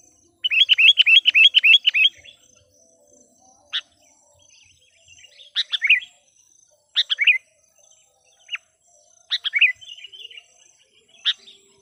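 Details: Sooty-headed bulbul decoy song meant to draw wild birds, opening with a fast regular series of about ten bubbly chirps, then scattered downslurred phrases and sharp single notes over several seconds.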